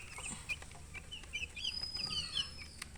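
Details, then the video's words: A few baby chickens chirping in short, high, falling peeps, with a long thin whistle running through the middle and a low hum underneath. "MURGI Baby "Chicks Chirping" Sound"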